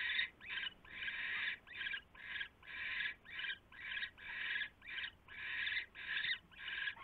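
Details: Owl nest shortly after midnight, 27 January 2016, during delivery of a huge rat: a long run of rough, wheezing screech-hisses, about twelve in seven seconds, steady in loudness and rhythm.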